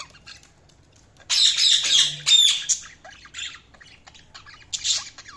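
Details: Budgerigars chirping: a burst of harsh, buzzy squawks and chatter between one and three seconds, then softer scattered chirps and a brief scratchy call near the end.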